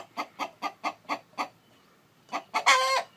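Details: Chicken, rooster calling beside a brooding hen: six evenly spaced short clucks, a brief pause, then two quick clucks and a long, raspy, loud squawk.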